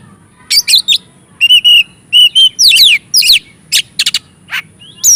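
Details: Clusters of sweeping high whistles, steady whistled notes and sharp downslurred calls from an Oriental magpie-robin, a song played to provoke and excite other magpie-robins.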